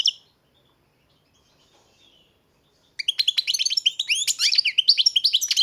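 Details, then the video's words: A breeder's European goldfinch gives one short note, stays silent about three seconds, then launches into a fast, continuous stream of twittering, chattering, tinkling song. "Pesma štiglića, češljugara"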